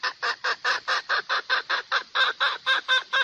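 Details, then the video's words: Red junglefowl lure call for catching males: a rhythmic chain of about fourteen rough, nasal clucks, evenly spaced at just over two per second, in clean quiet surroundings. "tiếng gà rừng dung để bây chim trống"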